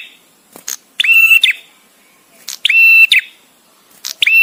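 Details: Male bar-winged prinia with paused song for master training: short chip notes, then three loud buzzy ringing phrases roughly every 1.5 seconds.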